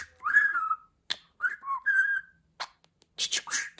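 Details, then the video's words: Pet budgerigar in a real talking compilation: clear wavering whistles and a dipping whistled phrase, a couple of clicks, then a quick burst of scratchy word-like chatter. "Konuşan Muhabbet Kuşu"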